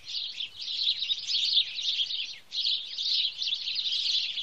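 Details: House sparrows in Wittlich, 2017: a thick chorus of squeaky chirps that briefly drops almost silent near the middle, then resumes as strong as before.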